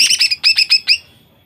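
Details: Female greater green leafbird singing actively, used to provoke males into singing: a rapid burst of about six sharp, high chirps in under a second, loud and clean with no other sounds.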